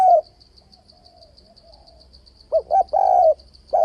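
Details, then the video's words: Spotted dove call used to stir a decoy bird for fight-trapping: a trailing coo, a quiet pause, then two quick short coos and a long rolling one, with a faint rhythmic high-pitched pulsing behind. "Tiếng cu gáy kích bổi bẫy đấu ,//tiếng chim cu gáy đảo giọng kèm bo liên tục"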